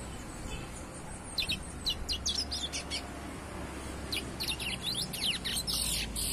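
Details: A young chestnut-bellied seed finch, used to its surroundings, keeps singing despite the noise around it, in bursts of quick, high twittering notes, broken and uneven, over a steady low background hum.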